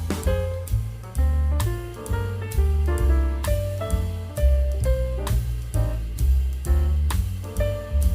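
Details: Jazz-style instrumental music with a steady drum beat, bass line, guitar and saxophone-like melody, with no animal voice audible.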